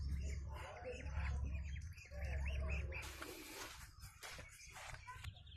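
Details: Muscovy ducks kept by a farmer, with high, thin peeping notes arching up and down in quick irregular series during the first three seconds, then broadband rustling and clatter with a steady low hum throughout.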